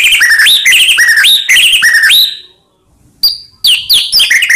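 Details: White-rumped shama song used to provoke other shamas: repeated loud rising whistled phrases with chattering notes, a brief silence, then a sharp note and further rising whistles.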